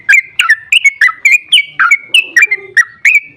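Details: Rapid bulbul song from a sooty-headed bulbul, played to provoke other bulbuls into answering. Bright, sharp two-part chirps with quick rising and falling inflections follow one another about three times a second.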